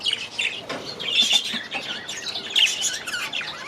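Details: Young budgerigars newly released into an aviary for the season; rapid chirps and warbled notes from a group, rising and falling in loudness.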